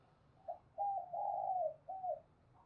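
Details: Decoy spotted dove cooing to call wild doves, heard more softly over a faint low hum: short coos, a long wavering purr and a short final note.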